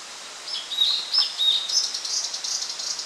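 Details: Blue-and-white flycatcher (Cyanoptila cyanomelana) song, recorded 8 June 2013: a few clear, high whistled notes, then a run of thin, fizzy twittering over soft background hiss.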